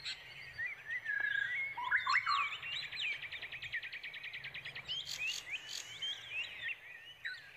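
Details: Brown prinia chicks awaiting their parent, which is searching for food for them: loud squeaky chirps early on, then a rapid buzzy run of evenly spaced high notes, followed by scattered sharp tweets.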